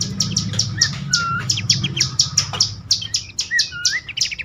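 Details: Bush warbler lure call for stressed or reluctant caged birds; sharp high chips repeated rapidly, several per second, with occasional soft slurred whistles woven in and a low hum underneath.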